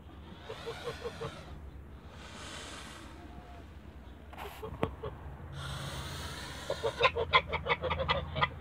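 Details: A pair of Toulouse geese in a backyard on a Greek farm. Two bursts of broad hissing noise come first, then a loud snap. Near the end comes a rapid run of repeated nasal honks, about a dozen in under two seconds.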